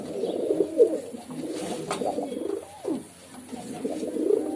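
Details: Pigeon cooing in low, soft, rolling bursts, one longer phrase early on and another near the end, with a short gap and a faint rustle between them.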